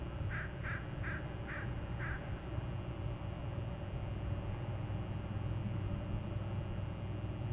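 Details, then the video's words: An eagle at its nest territory on Hornby Island on July 31 gives more trills: a quick series of five high, piercing notes in about two seconds, then silence, over a steady low rumble of wind or distant hum. "more trills"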